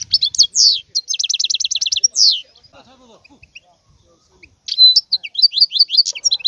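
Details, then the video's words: A wild European goldfinch gives a burst of fast, liquid twitters and a rattling trill, falls quiet for about two seconds, then resumes with bright, jangling chirps. "اسمع بأذنيك تغريد هذا الحسون البري"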